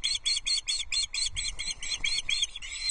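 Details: Osprey chicks at a Loch Arkaig nest during a fish feeding on 14 June 2024, from a livestream camera. Steady piping of shrill, clipped chirps repeats quickly, roughly four per second, with faint background hiss.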